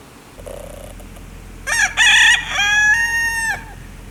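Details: A rooster at a mountain homestead in western Wyoming gives one loud crow of about two seconds, harsh at first, then a long, steady, slightly falling note, with quieter clucking just before.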